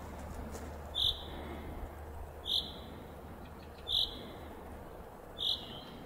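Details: A common chaffinch falling asleep yet still chirping gives four short, high chirps about every one and a half seconds over a low, steady hum.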